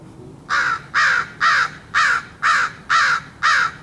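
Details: Crow cawing at something while being offered food, seven hoarse, evenly spaced caws at roughly half-second intervals, each harsh and slightly descending, with a quiet background.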